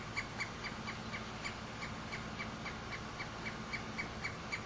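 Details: A Pileated woodpecker near its nest in Frankfort, Kentucky, gives a loose series of short, loud, clucking notes, about four per second and somewhat uneven, over a steady background hiss.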